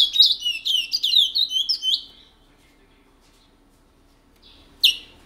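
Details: Matiti regional song from a long-kept male picolette in French Guiana, a prized seed finch: two seconds of bright, tumbling whistled notes sliding downward, then quiet broken by one sharp high click.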